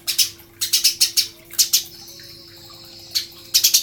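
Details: Eurasian tree sparrow giving spaced groups of two to four high chirps, a quiet pause with a faint thin tone, then a final cluster; recorded as master song for training songbirds.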